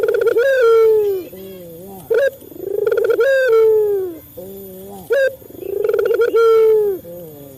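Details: Repeated cooing by a male local Barbary dove used to encourage captive doves to call: strong harmonic coos opening with sharp short notes, fading into soft low hums, roughly three phrases in under eight seconds.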